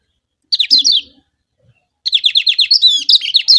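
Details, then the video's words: Lombok yellow kecial, a white-eye, sings a lure song to excite rival birds: two fast, high, twittering phrases of rapidly repeated sliding notes, the second longer and richer, with a faint low knock between. "Pancingan Kecial Kuning Joss Terbaru Ampuh Bikin Kecial Lawan Gacor MAXIMAL‼️"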